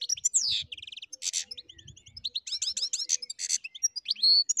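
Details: Wild European goldfinch singing in its natural habitat: a lively, high-pitched run of quick twittering notes, metallic trills and short buzzy phrases, nearly continuous, with faint low rumbling beneath.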